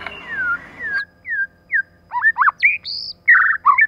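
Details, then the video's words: White-rumped shama female with male, a lure to stimulate rival birds: downward-sliding whistles, then a lively mix of looping, burry and high whistled notes. "CHOÈ LỬA MÁI.choè lửa trống + mái kích lửa.choe lua mai.pancingan murai batu.lửa mái mồi."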